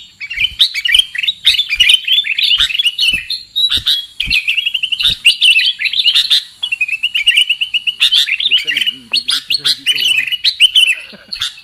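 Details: Trapping lure call of the sooty-headed bulbul, a rapid stream of bright chirps and bubbling whistled phrases in bursts separated by brief gaps, with sharp clicks scattered through and a faint lower voice partway.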